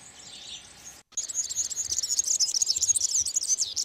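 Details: European serin singing its nuptial courtship song in spring among olive branches: after a brief silence, a loud, dense, very high jingling cascade of rapid tinkling, buzzy notes pours out continuously with no pauses.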